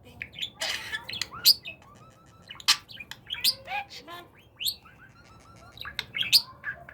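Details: Pet budgerigar during talking practice, producing a loud noisy burst followed by a stream of chirps, clicks, short falling whistles and buzzy notes in irregular succession.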